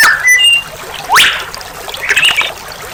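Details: Oriental magpie-robin (murai batu) song from a training recording for kept birds, praised as full of varied melodious phrases. Here: a clear slurred whistle, then a sharp upward-sweeping note, then a buzzy warbled phrase, with a faint trickling-water background.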